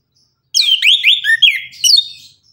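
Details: Tembakan-style morning song of an orange-headed thrush: a continuous two-second run of quick, sliding whistled notes swooping up and down, ending in higher squeaky phrases.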